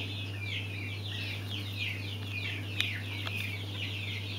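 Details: Mountain quail chicks giving a continuous chorus of high, thin, overlapping peeping chirps, with a low steady hum underneath.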